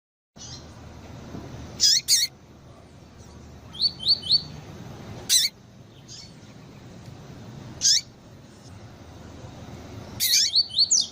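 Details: Double-collared seedeater female calls, played to stir up and warm up a male: sharp, high, downward-sweeping chirps every two to three seconds, mixed with quick series of three short rising whistled notes, over a faint low hum.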